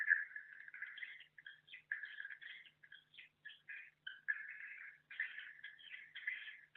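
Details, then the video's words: Swiftlets chatter in rapid, buzzy twittering bursts at a mid-high pitch, broken by brief pauses every second or so, in a small enclosed space; an internal swiftlet call. "Internal Suara Tahan Bird Call"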